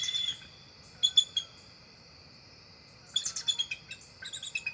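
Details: Two adult bald eagles, a female and a young adult male, fly up to the nest tree at dusk in October; short bursts of rapid, high staccato chittering notes separated by pauses, with steady insect trilling behind.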